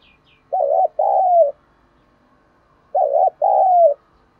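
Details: Cooing spotted dove, 'thúc đấu đồng pha' style meant to excite wild birds: two clean low coos, each a short trembling note followed by a longer sliding one, about two and a half seconds apart in quiet surroundings.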